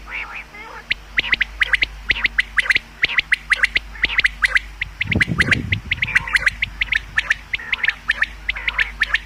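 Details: Common quail calls for hunting: an unbroken chatter of sharp, staccato notes from several birds, with a brief low rumble in the middle.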